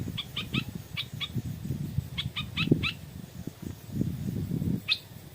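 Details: Stripe-throated bulbul, a wild bird lured in the evening by a decoy bird, giving bursts of short stacked notes in quick groups over a low rumbling background with thumps.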